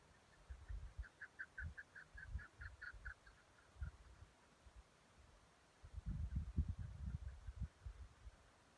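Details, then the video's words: Chukar calling so the birds can find each other: a faint run of about a dozen evenly spaced clucking notes over about two seconds, partly masked by heavy low rumbling noise that returns strongly near the end. "Chukar quaj sib nriav"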